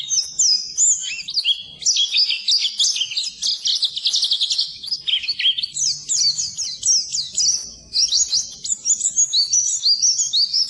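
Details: Oriental white-eye (pleci) in a long unbroken stream of high, hurried twittering song, chattering whistled notes sliding up and down; recorded as a master track for birds that refuse to sing.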